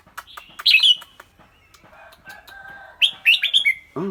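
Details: Red-whiskered bulbul with a clear voice: a loud cluster of bright, slurred whistles, a faint sustained tone, then a second quick run of four descending whistled notes, ending on a lower arched harmonic call.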